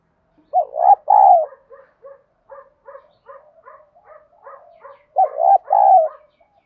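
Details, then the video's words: Spotted dove coo in the 'giọng đồng' style, for training decoy birds: a two-part coo, then a quick run of about a dozen short soft murmured notes, then the two-part coo again. "cu gáy giọng đồng. thúc gù, tiếng gáy gọi, giúp anh em tập mồi và bổi hiệu quả nhất hiện nay"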